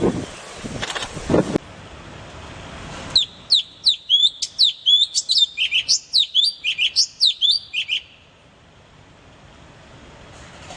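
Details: Cute bird giving a lively series of sharp, high, down-slurred chirps, about a dozen in quick succession, after a few seconds of rustling noise, then fading to quiet.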